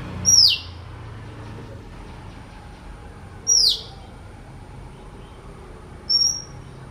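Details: Oriental magpie-robin song: three separate clear, high whistles spaced about three seconds apart, the first two sliding sharply downward and the last a short level note, over a quiet background hiss.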